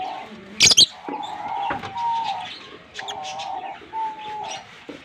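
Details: A green Fischer's lovebird pair, kissing, produces a sudden burst of shrill, clipped chirps early on, then softer scattered twitters, while a level mid-pitched droning tone runs underneath.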